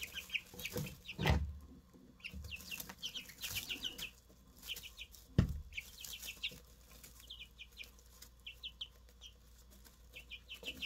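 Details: Fresh Easter Egger chicks, three in all, cheep in scattered groups of high falling notes, broken by two loud knocks and a steady low rumble.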